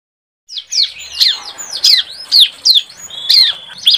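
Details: A young bar-winged prinia learning its song gives rapid, high chirps and sweeping squeaky notes, about two or three each second, in a jumbled practice song. This audio is used as a lure for other birds.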